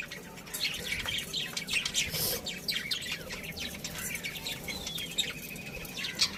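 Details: Colony of budgerigars chattering: a continuous busy warble of overlapping thin chirps, squeaks and short whistled slides, fairly soft and steady with no pauses.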